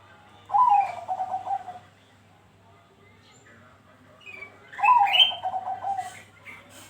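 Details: Bangkok-type zebra dove, recorded as a lure to prompt other perkutut to sing, gives two rapid cooing phrases of staccato, slightly descending notes about three seconds apart; brief higher chirps from other birds and a low steady hum underneath.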